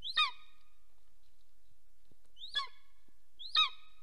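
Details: Golden eagle pair mating at their nest in Soomaa National Park, southwestern Estonia, filmed by nest camera at 10:47 am on 17 March 2024; three sharp, high, descending yelps, two close together near the end, with quiet pauses between.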